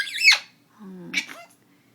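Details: An 8-month-old parrot practising animal sounds gives a harsh, wavering, high squawk, apparently a mimicked cat meow, then a brief high burst, with a low human voice prompting between them.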